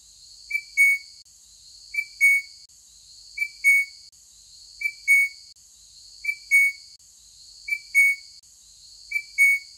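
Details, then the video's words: A Crimson Rosella at Tamborine Mountain, Queensland, Australia, gives a clear, bell-like whistled double note, repeated about every second and a half, over a steady high insect-like hiss. "Crimson Rosella Call"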